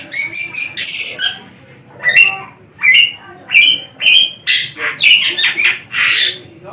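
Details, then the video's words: Captive Javan long-tailed shrike kept as a tame singing bird, performing a loud varied song: harsh squawks and chattering notes followed by a series of rising whistled phrases about every half second. "pentet/cendet gacor"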